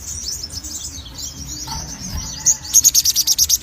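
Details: Sogon in active song: a soft high warble, then a rapid series of about ten sharp high notes repeated several times a second.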